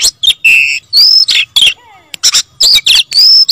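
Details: Oriental magpie-robin singing insistently in gacor style: sharp whistled slurs and short buzzy bursts with brief pauses, plus a faint lower wavering note midway.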